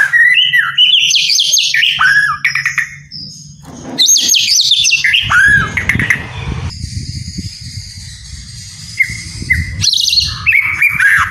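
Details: Captive white-rumped shama song used to rouse lazy birds: rapid varied chirps, slurred whistles and twittering notes in dense bursts, with a low rumbling background.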